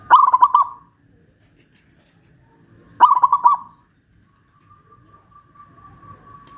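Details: Local Pajajaran zebra dove, caged and raised on a hoist in Kuningan, West Java; two bubbling phrases of quick coos three seconds apart, then a faint steady hum of tone.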